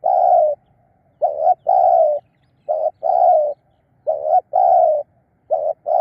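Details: Spotted dove used as a decoy to lure wild birds, cooing: loud, low, hollow coos in short groups, a brief note followed by longer ones, repeated about every two seconds with clean gaps between.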